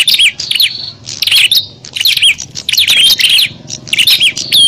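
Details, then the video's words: Quarrelling bar-winged prinias whose calls serve to lure wild ones: sharp high chirps mixed with drawn-out thin whistles, delivered in about five choppy bursts. "Suara burung prenjak pikat - prenjak tarung ribut ampuh memanggil prenjak liar"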